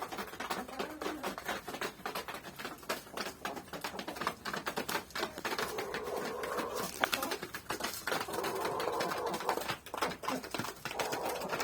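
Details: Hens eating wheat: mostly a fast patter of beak taps on grain, with stretches of soft, droning low clucks joining in during the second half.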